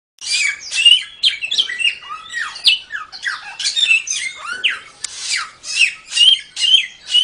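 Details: Samyong bird singing in a training recording for songbirds: a fast stream of harsh, buzzy squawks mixed with short sharp whistled notes, about two phrases per second, dense and high-pitched throughout.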